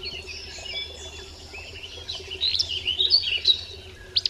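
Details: Willow Flycatcher song, the hoarse fitzbew, in a recording: a burst of buzzy, slurred high notes around the middle, after a quiet start with faint twittering, and a sharp final note.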